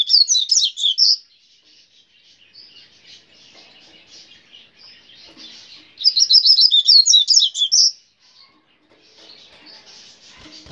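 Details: Grego-style song of a brown-plumaged coleiro, given in two bursts of rapid, high, tinkling notes about five seconds apart, with soft scratchy twitters between them.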